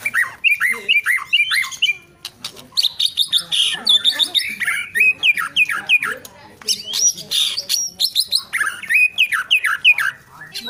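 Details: White-rumped shama song made of varied chattering phrases, with quick rising and falling whistles and harsh notes in dense bursts and brief pauses.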